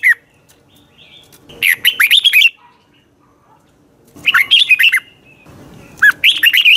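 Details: Red-whiskered bulbul morning song for training: a brief note, then three bursts of rollicking whistled notes, each under a second, with some faint low background noise between phrases.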